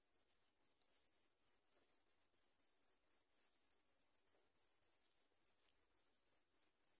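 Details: Begging sooty chat chicks in their nest calling for food, giving dense, continuous high-pitched squeaky chirps in a fast, slightly irregular run, several overlapping at times.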